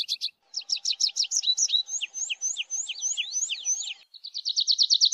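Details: Song of the tree pipit: quick runs of bright chirps, a sequence of high slurred whistles repeated in a row, and a closing fast rhythmic trill of even notes.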